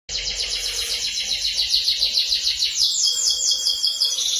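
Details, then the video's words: Canary in energetic full song, used as a tutor recording for training magpie robins; dense rapid trills and rolling high notes repeated continuously, shifting to a steadier high trill near the end, with faint background hiss. "burung kenari gacor cocok buat masteran burung murai batu"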